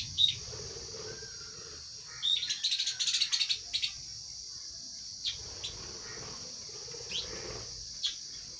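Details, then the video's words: Eating lovebirds break into a rapid burst of shrill chattering chirps lasting about a second and a half, then fall back to occasional single squeaks under a continuous high hiss. "Love birds sounds"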